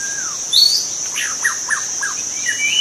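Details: Wild forest white-rumped shama singing: a long falling whistle, then a sharp high note and a quick run of short slurred notes, over a steady high insect drone.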